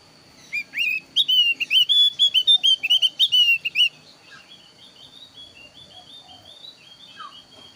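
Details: Thin-browed Javan grey-throated white-eye giving a varied lure song meant to make other birds call back: a fast burst of loud, sliding whistled notes for about three seconds, then softer distant chirping phrases.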